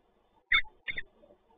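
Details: Peregrine falcon ringed 5CB visiting a nest box at the PGE site in Toruń gives two short, harsh, rasping notes about half a second apart, over a faint low background hum.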